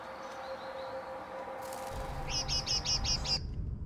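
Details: On an eleventh floor in Mariahoeve, The Hague, in May, great tits give a faint thin whistle, then a rapid run of six high, buzzy notes, against a steady hum and low rumble.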